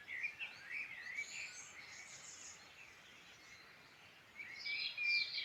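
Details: Wild birds singing in the Irish Midlands, Ireland. Soft, scattered high chirps and short twittering phrases overlap from several birds over a faint steady background hiss, quieter in the middle before a brighter burst of trills.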